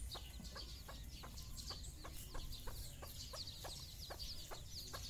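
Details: Mother hen caring for her own chicks, calling them on their first outing for a morning walk; steady run of short clucks roughly every third of a second beneath constant high chick peeps.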